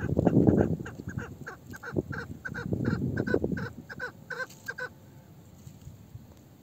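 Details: An old female chukar partridge, meri, with a voice like a male's, delivers rapid harsh clucks over heavy low rumbling that fades toward the end.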